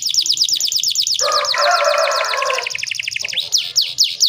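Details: A canary hen said to stimulate male canaries to sing: a continuous fast trill of high sweeping notes with a harsh, lower rasping noise beneath it midway, then spaced downward-slurred whistles.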